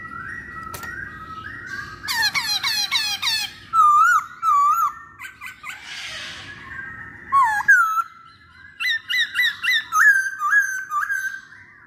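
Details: Masked laughingthrush producing a lively mix of chattering bursts, looping whistled notes and repeated short upward-curving calls, with one brief rushing noise in the middle; the sound is close and indoors.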